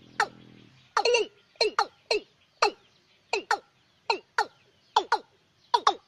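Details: Pair of watercocks calling at night as a bird lure for the sixth to tenth lunar months: rapid series of abrupt, hard knocking notes, some doubled, after a brief low murmur at the start.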